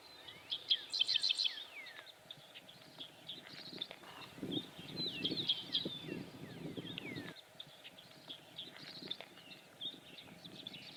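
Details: Many Dickcissels, distant, sing sharp, buzzy stuttering phrases every few seconds across open tallgrass prairie at Midewin, northern Illinois, on an overcast day, with a low rumble of wind and handling noise partway through.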